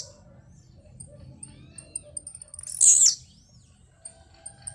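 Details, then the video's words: A blue-black grassquit gives a single sharp, high, buzzy downslurred note as it sings on the jump. Thin ticking clicks run before and after, and faint low whistles sit underneath. "tiziu cantando de pulo"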